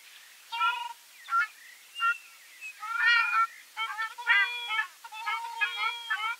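Ruddy Shelduck giving nasal, goose-like honks, first single notes about a second apart, then quicker runs of rough 'aang' calls.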